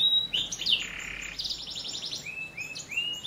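A canary sings a bright, high song of rapid trills, sweeping whistles and repeated upslurred notes, with no other sounds noticeable.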